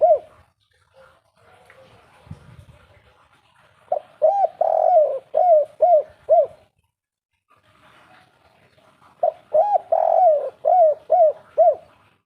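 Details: Derkuku (spotted dove) singing the three-note 'kuk 3' style prized as a bringer of luck: two bursts of mellow low coos, each a longer rolling note followed by a quick run of short, evenly spaced hooked coos, with near silence between.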